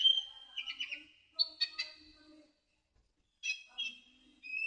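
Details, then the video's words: Sunbird song used as a training recording for cage birds: thin, high whistled notes, a level tone then quick trilled and stuttering phrases, a short pause, then more sharp bright notes. "MASTERAN KICAUN KONIN KOLIBRI NINJA"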